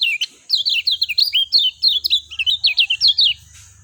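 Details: Lemon-bellied white-eye giving a fast, steady series of high, sweet slurred notes and twitters, each note bending up and down, with a low hum underneath.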